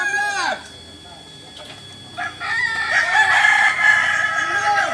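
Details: Kokok Balenggek roosters at a joint training session in Ampang Kualo, Solok, West Sumatra: a short falling crow, a quiet gap, then a dense stretch of overlapping crows with arched syllables.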